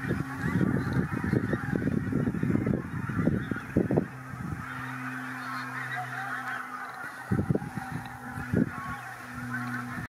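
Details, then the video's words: Pink-footed geese at WWT Martin Mere on 4 November 2017 after a Marsh Harrier spooked them; a rapid run of honks for four seconds, a quieter lull, then a few more calls over steady flock noise. "Pink-footed Geese spooked by a Marsh Harrier!"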